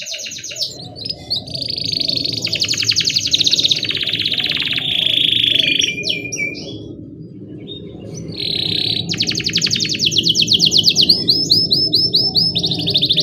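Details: Lively canary in full rolling song, used to lure young canaries into singing: buzzy trills and rapid repeated notes high up, broken by short gaps, over a steady low hum in the background.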